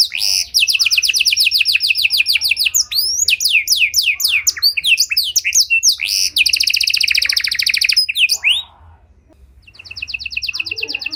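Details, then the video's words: Luxurious cengkok song of a Panda canary, used for luring and training other canaries: bright rolling trills alternating with rapid jumbled chirps, a brief pause, then a softer trill resuming at the end. "Pancingan Suara Burung Kenari Panda Cengkok Mewah! Ampuh Buat Memancing Maupun Melatih Kenari Lain"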